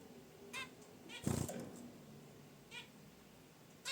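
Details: A few short nasal honks from caged zebra finches resting by their wicker basket nest, interrupted by a heavy thump of rustling.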